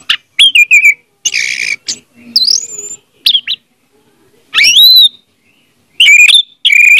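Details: Orange-headed thrush song used as a lure for a silent bird: varied phrases of slurred whistles, a harsh buzzy note and falling chirps, with short gaps between.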